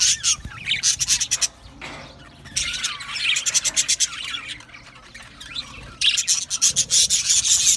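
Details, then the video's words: Aviary budgerigars singing and chirping: fast pulsing bursts of high, scratchy chirps alternating with quieter stretches of softer warbling, then a loud rapid run at the end. "Australian Budgies Singing and chirping sounds"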